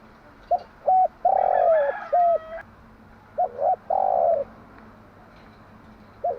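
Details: Hen spotted dove cooing in the morning, used to excite decoy birds into calling: quick paired coos, a long downward-sliding coo, more short coos, with a faint higher tone behind the first phrase.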